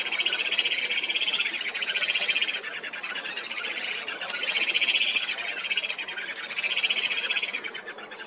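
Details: Purus jacamar recorded on an expedition in Acre, Brazil, giving rapid, high, squeaky chattering notes, about four per second, swelling into louder bursts roughly every two seconds.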